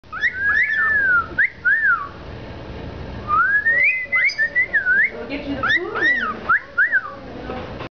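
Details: Cockatiels (Nymphicus hollandicus) awaiting adoption give clear, looping whistles that rise and fall in quick, tuneful phrases.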